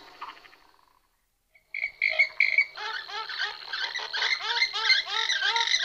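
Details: Purple swamphens, several pairs, giving varied calls: a brief quiet stretch, then loud sharp high squawks, followed by a dense run of repeated nasal, curving harmonic notes from overlapping birds.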